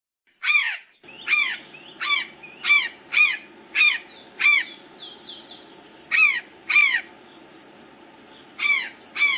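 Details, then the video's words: Azure jay resting on the topmost branch of a tree, giving harsh, ringing, downward-sweeping calls in an uneven series, some in quick pairs, about twelve notes with gaps between, over a low steady background hum. "Gralha azul descansando no ultimo galho da árvora, Cyanocorax caeruleus, Azure Jay"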